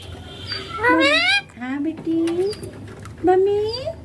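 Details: Talking pet Indian ringneck parakeet, green, known to say 'papa' and 'mummy', producing three rising harmonic word-like phrases with low murmured syllables between, clear and close indoors.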